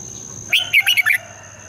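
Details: A single fast phrase from a red-whiskered bulbul singing in the morning: five clipped, twisting whistled notes packed into under a second, in the long double style used to spur birds into competition singing. A faint high whine continues behind it.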